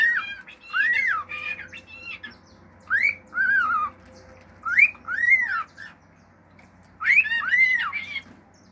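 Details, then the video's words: Home pet male cockatiel performing natural songs and wolf-whistle-like phrases: groups of looping arched whistles, some harsh and layered, in four bursts separated by short silences. "CALOPSITA MACHO CANTANDO CANTOS NATURAIS, FIU-FIU, ESTALINHOS ENTRE OUTROS"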